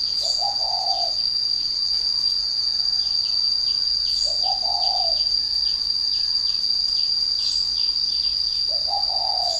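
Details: Spotted dove, said to coo as soon as its cage is hung up: three low, husky cooing phrases, each about a second long and spaced roughly four seconds apart, over a constant high-pitched insect whine and scattered faint chirps.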